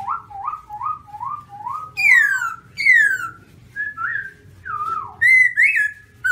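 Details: Black-throated laughingthrush (Garrulax chinensis), white-cheek type, in song: a run of five short rising whistles, then loud ringing downslurs and varied swooping whistled notes over about six seconds.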